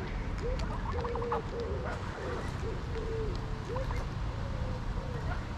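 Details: Greylag geese at Pearson Park, Hull, England, on 22 August 2021, recorded by GoPro Hero9, keep up a steady series of short nasal honks, several overlapping, over a low continuous rumble.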